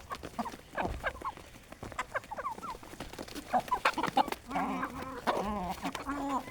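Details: Aseel hens gathered in a village farm at morning feeding time, eating natural grains; scattered short clucks give way to a dense run of overlapping, nasal, repeated clucking calls in the last two seconds.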